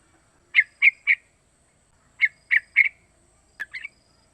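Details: Calls of a young sooty-headed bulbul, three months old, used to lure other bulbuls into singing: groups of three quick, bright chirps repeated after a pause, ending with a softer pair of notes.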